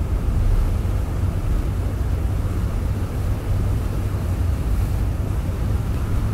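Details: Steady low rumbling wind noise, with a slight dip midway, is all that is heard, with no animal calls.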